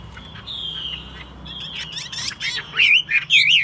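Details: Caged Chinese hwamei described as a good singer and fighter: a faint sustained whistle and soft notes open, then the song turns loud with bright looping whistled figures near the end.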